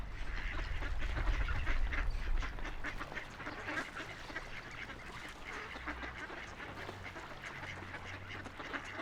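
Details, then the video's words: Ducks paddling on a river, quacking in quick repeated notes about three per second, while loud low rumbling water dominates the opening seconds then eases. "Relaxing Ducks Quacking by the River"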